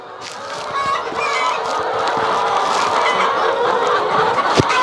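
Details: A dense chorus of many chickens in chicken houses on a poultry farm fills the air, overlapping clucks and squawks in a constant dull roar, with occasional sharper calls rising above.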